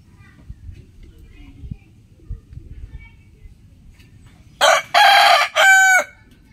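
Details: Early-morning rooster crow after several quiet seconds of low background noise: a loud, harsh crow in three segments, the last held steady and then broken off, lasting about one and a half seconds.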